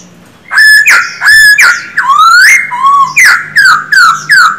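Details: Male Silver-eared laughingthrush kept as a cage bird, singing to stimulate others: sharp downslurred whistles at a steady pace, a long rising glide, a low wavering note, then a fast run of falling whistles.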